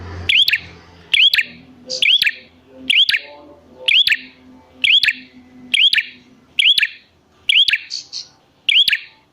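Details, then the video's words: Repeated prinia calls meant to lure wild prinias into replying: each a bright curled chirp flanked by dry clicks, about once per second, with soft low tones behind. "Pancingan Prenjak Gacor Jamin Prenjak Malas Bunyi Langsung Nyahut"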